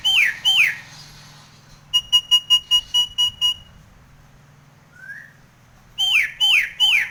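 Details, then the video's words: Nias hill myna in breeding condition with a rich fill song: loud hooked whistles open and close the passage, separated by a fast run of about eight identical beeping notes and one soft rising whistle. "Suara burung Jalak Nias Gacor Mangut manggut Isian Istimewa Teplekan"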